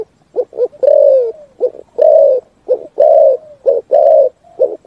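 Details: Spotted dove cooing its full song, resonant like in the forest; pairs of short low coos followed by longer sustained coos that trail downward, repeating steadily, quiet background.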